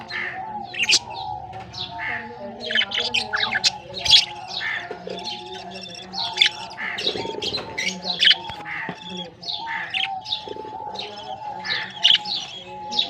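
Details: Just-hatched baby budgerigars from this year's breeding season chirp in quick, high, scratchy bursts over a steady low hum.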